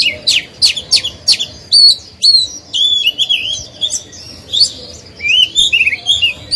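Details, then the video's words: A caged oriental magpie-robin sings as a lure to provoke other birds and to train young birds; sharp downward notes open the song, then clear whistles, drawn-out slurred tones and a closing burst of twittering. "Chòe than hót hay, luyện mồi, kích bổi, tập chim non"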